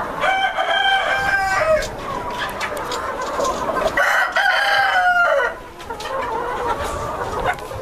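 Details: Silver Spangled Appenzeller Spitzhauben chickens in a purebred breeder flock on a hatchery farm: two long ringing rooster crows, each with a drawn-out falling end, over steady flock clucking and chatter.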